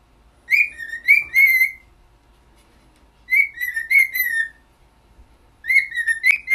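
A cockatiel whistles a learned tune in three clear, wavering phrases separated by short pauses.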